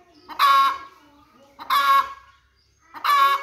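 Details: Hen giving loud, harsh, nasal squawks, three in a row, each about half a second long and spaced roughly every one and a half seconds, with quiet low clucking between them.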